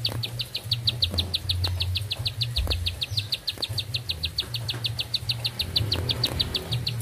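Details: Bar-winged prinia singing one long unbroken song: a rapid, even string of short, high, sharp notes, about five or six a second, with a low steady hum beneath.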